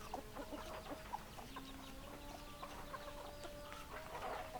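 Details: Several hens clucking together in a flock, short clucks overlapping with drawn-out tonal notes, a busy continuous murmur of poultry throughout.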